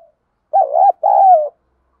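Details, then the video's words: ['Two-note coo of a spotted dove, field-voice style, from calls used to stir training birds: a warbling, looped opening and a sustained, mellow, descending ending.'] "chim cu gáy thúc gù & gáy gọi, cu gáy giọng đồng, gù thúc, tiếng đồng gáy gọi"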